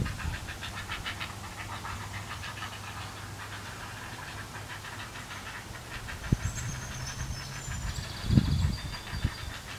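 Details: Three nearly fledged heron nestlings in the nest, eagerly awaiting a parent to bring another meal. They give rapid, rasping pulses, about three to four a second, over a steady low engine-like hum. Thin high whistles come near the end.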